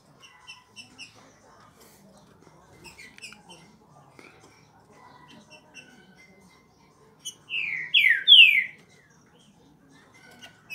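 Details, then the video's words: Curricutil style song of a thrush-like saltator: a brief, loud burst of three or four downward-sliding whistled notes in fast sequence. Quiet scattered chirps come before and after. "Canto Curricutil Boi"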